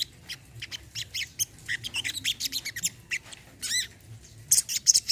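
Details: For a sunbird that has stopped singing, an olive-backed sunbird gives a rapid string of high, scratchy chirps and short sweeping notes, ending in a burst of sharp twitters.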